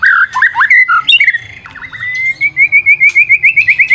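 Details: Lively white-rumped shama singing as a lure, opening with varied looping whistles and a few harsh notes, then a long, steady trill of quick, evenly repeated whistled pulses at a constant pitch.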